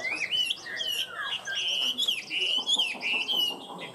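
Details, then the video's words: Caged, tame Chinese hwamei in full song: a continuous stream of bright, high whistled warbling with sliding, wavering notes and a few dipping phrases. "Chim họa mi thuần hót tốt"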